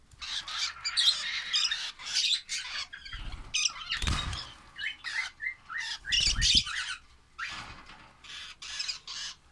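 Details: Baby lovebirds chatter in quick, scratchy chirps and short squeals, busy and uneven, with several heavy low thuds and rustling handling noise breaking in.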